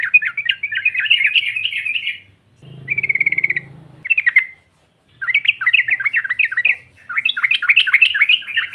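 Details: Female yellow-vented bulbul calling to draw rival birds: long, bubbly chattering runs broken by a short trill and a brief burst, with a faint low hum in the background.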